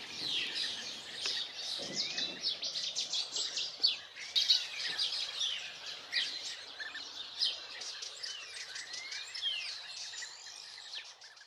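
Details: European bee-eaters in Extremadura, Spain, spring arrivals from Africa, give a steady stream of liquid, rolling 'prruip' calls; several birds overlap into a busy, high-pitched chatter with no other clear sounds; finding: European bee-eater.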